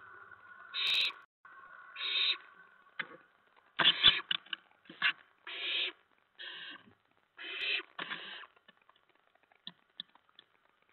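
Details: Owlets in a nest at night, 10 September 2017 around 2 AM, while adults deliver a mouse and a rat; owlets pounce about. Harsh raspy hissing bursts come in rapid irregular series, with soft scuffling between.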